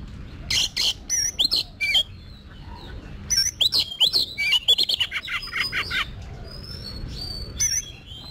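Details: Caged Oriental magpie-robin being trained to sing for competitions, delivering a varied song of sharp clicks, whistled slurs and high sweeping notes in two lively bursts separated by a pause, with a steady low hum behind.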